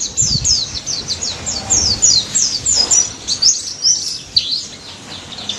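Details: White-eye of the daput type singing energetically in the ngalas nembak style, played to prompt silent white-eyes to answer: a fast, unbroken stream of very high, thin, sharply falling chirps and twitters, with faint low rumble beneath.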